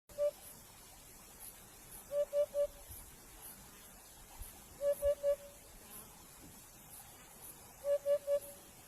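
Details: Chukar partridge calling: short clucking notes in tight groups of three, each group repeated every two to three seconds, over a steady background hiss.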